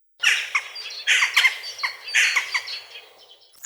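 Jackdaws give short, harsh, squawky calls in quick clusters, three bursts over about three seconds, sometimes overlapping as several birds chatter together.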